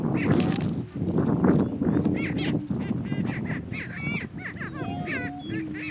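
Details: Male Greater Prairie Chickens battling for dominance on a lek in northeast Kansas; a dense, rumbling, noisy chorus with a faint low hum and many overlapping cackling and whooping calls above it.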